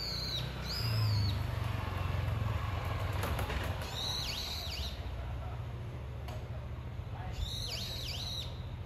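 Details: Brown-eared bulbul; call; calling its mate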